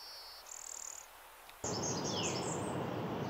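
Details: A Blue-winged Warbler, uncommon and retiring, sings in flowering trees at Mount Auburn Cemetery, Cambridge, Massachusetts, in early May: a thin, high insect-like note, then a dry buzzy one. A loud burst of music or applause follows.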